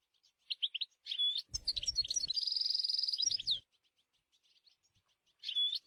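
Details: Wild European goldfinch: a few sharp chirps and a buzzy call, then a long fast tinkling trill lasting two seconds over low rumble, soft ticks, and a final buzzy note.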